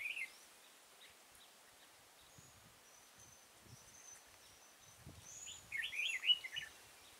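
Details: Red-whiskered bulbul recorded while being trapped at Kim Bôi, Hòa Bình, Vietnam, 6 April 2017: a mostly quiet stretch with a thin high whistle, ending in a loud, quick, jumbled warbling phrase.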